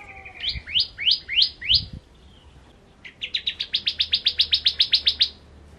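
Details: Bar-winged prinia (ciblek kristal) singing in the vigorous gacor full ngentrok style: four upward-sweeping buzzy notes, a short pause, then a fast run of about fifteen repeated rising chirps; a few low thumps early on.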